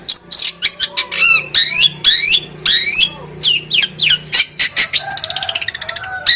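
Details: Long-tailed shrike, a champion songbird, singing a rich varied song of sharp clicks, upward-sweeping squeaky whistles and harsh buzzes, ending in a fast trill of rapid notes.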